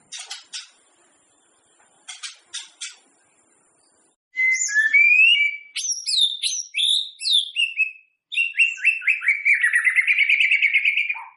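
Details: White-rumped shama song meant to stir other shamas into singing before a contest: clicking ticks give way to varied loud whistled phrases, sweeping notes and a long fast rolling trill.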